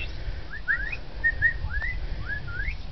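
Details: White parrot at a winery in Australia giving a run of short whistled notes, each sliding up or down, about six in three seconds, over low rumbling background with a person saying hello nearby.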